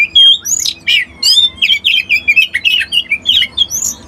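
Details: Energetic Oriental magpie-robin song, close and clear: a pure whistle opens it, then rapid chattering, warbled and buzzy notes follow in quick bursts, with short pauses between phrases.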